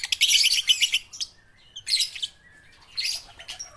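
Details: Young lovebirds under five months old learning to sing. An opening burst of rapid, shrill chirping is followed by quieter gaps, with two shorter harsh bursts near two and three seconds.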